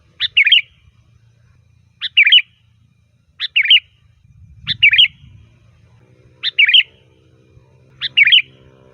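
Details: Sooty-headed bulbul in loud, varied song used to call bulbuls: short two-part bubbly whistled phrases, a sharp note then a warble, repeated about every one and a half seconds over a faint low hum.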